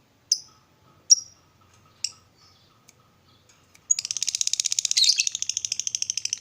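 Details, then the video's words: Lovebird in ngekek style, used to rile up listening lovebirds: three sharp isolated chirps, then a sudden dense, high, rattling chatter of fast pulses fills the rest. "Lovebird ngekek bikin lovebird kamu darah tingi"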